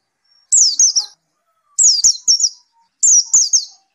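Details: A white-eye, singing constantly after therapy, gives three short phrases, each of two or three high, down-slurred whistles, spaced about every one and a quarter seconds with silence between.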